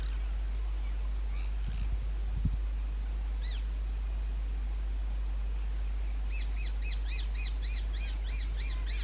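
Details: At a railway-bridge nesting site in summer, a rose-ringed parakeet gives a few scattered screeches, then a rapid, evenly spaced series of about ten sharp arched calls near the end. Two low knocks are also heard.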